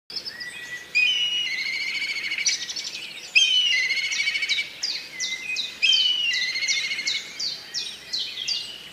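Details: In Old Dhaka, Bangladesh, black kites give high, quavering, whinnying calls. Trilled phrases overlap almost without pause, as if several birds are calling at once. A faint background hum runs underneath.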